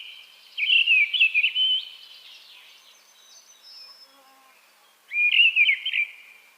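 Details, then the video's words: Mistle thrush song of two fluting, slightly scratchy warbled phrases, about four seconds apart, with soft distant bird notes in the pause. "Голоса птиц: деряба"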